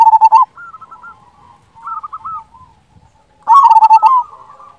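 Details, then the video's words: Strong-voiced local zebra dove, a tutor bird to rouse lazy singers, opens with a loud rolling coo, adds soft clipped stutters, then ends in another rich, pulsing burst of cooing. "Perkutut lokal gacor suara besar"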